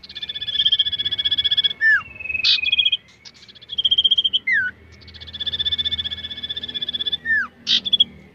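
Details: Common iora undergoing mental training for competition gives long, rapid buzzy trills on a high steady pitch, broken by sharp downslurred notes and brief chips, repeated in two bursts.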